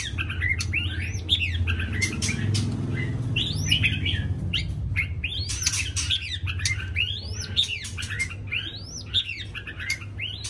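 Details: Morning song of a white-rumped shama: rapid varied phrases of arched whistled notes and sharp clicks, repeated in bursts every second or two over continuous low-frequency hum.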